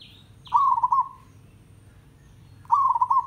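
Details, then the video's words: Village zebra dove song used as training audio: a higher whistled note from another bird first, then two trilling, bubbling coo phrases about two seconds apart. "MERBOK KAMPUNG TANDANG - MASTERAN PERKUTUT AGAR RAJIN BUNYI"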